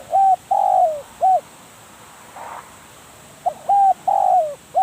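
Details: Spotted dove serving as a trapping decoy, repeating its cooing phrase twice: clipped hoot, long downward-trailing coo, short hoot, with a pause of about two seconds between phrases.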